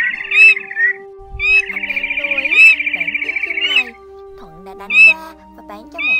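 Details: Male and female red-legged crakes calling the flock, a lure for netting migrating birds at night in 2023: harsh nasal notes, then a two-second buzzing rattle and further single squawks, with a constant tonal drone behind.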